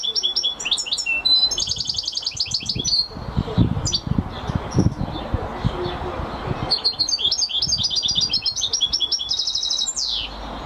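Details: Goldfinch song of rattling trilled runs and bright chirped notes, a long phrase followed by a pause and a similar phrase, with constant low rumble and clicks beneath.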